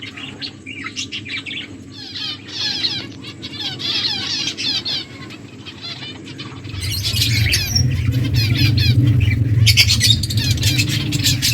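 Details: Several finches feeding, giving rapid high chirps and buzzy twitters in dense runs, with a loud low rumble and flapping joining in the second half.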